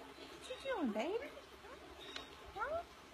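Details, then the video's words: Pet parrot with clipped wings in an enclosed courtyard, giving a short chatter of swooping, whistled tones that dip and rise, then a brief pair of upward slurs near the end, over quiet room hiss. "just a knock and a little chatter"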